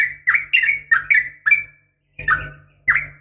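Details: Sooty-headed bulbul female calling to a male, giving lively gurgling notes that rise and fall in quick bursts with a brief pause, over a steady low hum.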